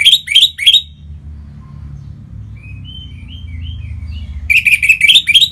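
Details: Orange-headed thrush kept as a cage bird sings to stimulate other birds. Three loud rising chirps open, quiet scattered whistled phrases follow, then a rapid run of about seven sharp, buzzy upslurred notes.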